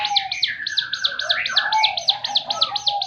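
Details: Rapid-fire 'tembakan' song of a ciblek gunung (Javan fulvetta): strident high notes repeated quickly and evenly, layered over a continuous lower warbling tone.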